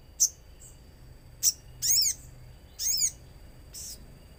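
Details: Common iora calling on a lure track among nature sounds: thin high ticks alternating with longer buzzy, downward-bending chirps, a few notes over four seconds.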